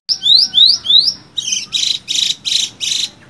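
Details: Horsfield's bush lark (Mirafra javanica) singing: three quick rising whistled sweeps, then five harsh buzzy bursts at about two per second, high and loud.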